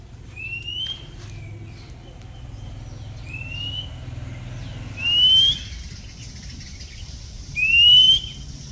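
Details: Oriental Magpie Robin, a common bird near houses in Thailand: a clear rising whistled note repeated about every two and a half seconds, with the later notes louder, over a quiet low rumble.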